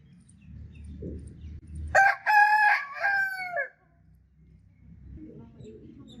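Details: A single rooster crow: an abrupt start, a couple of stuttered syllables, then a long sustained note that drops at the end, set against soft low-pitched background noise.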